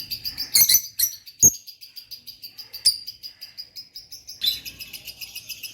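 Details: Two pet lovebirds chirping indoors in a calm, relaxing setting: sharp high chirps and a squeak early on, then a steady run of soft, rapid ticking twitters, ending in a brief burst of harsher chatter.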